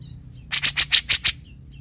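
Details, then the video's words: Grey-cheeked bulbul delivering its characteristic besetan, a run of six harsh, scratchy bursts evenly spaced about every 0.15 seconds, loud and abrupt, with faint whistled notes and low background hum around them. "Suara Kicauan Burung Cucak Jenggot, Pemaster Handal, Khas dengan Besetan - Besetannya"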